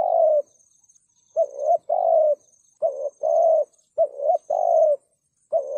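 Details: Loud 'thúc gù' coos of a spotted dove, a call used for trapping wild doves: paired low hooting notes, a clipped coo followed by a fuller drawn-out one, four phrases in quick succession over a thin high hiss.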